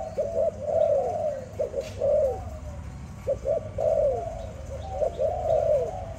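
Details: Malay dove owned as a pet, singing a lively song of short clipped notes mixed with longer arched, mellow coos, repeated about every second in uneven phrases, with a faint low hum behind.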